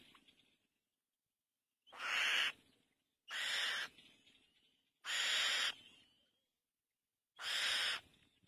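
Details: Black-winged kite giving four harsh, hissing screeches, each about half a second long and spaced one to two seconds apart, with a faint softer note at the start and a quiet background.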